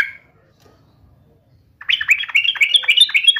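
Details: Yellow-vented bulbul singing persistently while taunting a rival in a fight: a brief note, a long pause, then a fast run of bubbly, slurred whistled notes repeated several times a second.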